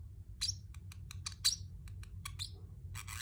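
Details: Pacific parrotlet chirping; a string of short, sharp high chirps at uneven intervals, some in quick pairs, ending in a brief buzzy burst.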